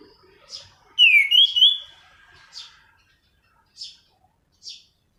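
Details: Orange-headed thrush of the anis cendana type, its song played as a lure and tutor for training birds: a clear whistled phrase sliding down then rising in quick loops, followed by a few short, soft buzzy notes separated by silence.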